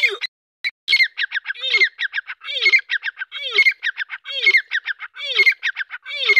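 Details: Young grey francolin: after a short pause, a fast string of harsh, grating notes in bursts, each group marked by a lower falling slur, repeated steadily through the recording.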